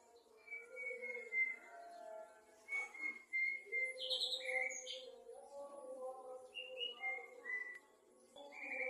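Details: Male white-rumped shama singing actively in the afternoon: varied whistled phrases, held flat notes and short rising slurs, with a low murmur of other sound beneath.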